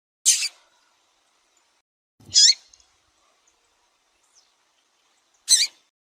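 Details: Female Double-collared seedeater calling to stimulate the male, kept by breeders in Brazil: three short, high, buzzy chip notes spaced about two and a half seconds apart, with near silence between.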